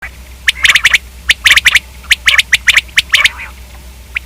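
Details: Common quail calling in quick clusters of two to three sharp, clicking notes, bursts repeated irregularly about once a second, with a low steady hum underneath.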